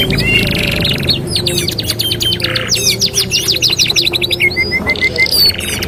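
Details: Master song for training canaries, canary singing: fast chirping trills of down-slurred notes, a buzzy burst, then a row of short level whistled notes, high-pitched and unbroken, with a faint low background hum.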